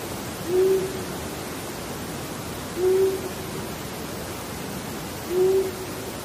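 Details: Long-eared Owl in the Eastern United States giving soft, low single hoots, evenly spaced about every two and a half seconds, over a steady background hiss.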